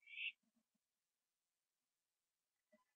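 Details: Late-night owl, 21 September 2011 at 11:15 PM, finishing a gopher on a porch: a single brief, harsh hissing screech at the start, then faint low knocks and a soft scrape in otherwise quiet surroundings.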